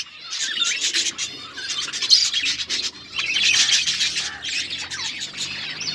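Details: Pet budgerigars keep up a busy chatter of squeaky chirps, harsh short squawks and warbled phrases that grow louder in waves.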